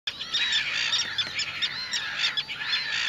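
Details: Little gulls, with young grey fluffy birds present. Thin, high squeaky calls overlap continuously, some drawn-out and slurred, others short and chirping, forming a steady chatter.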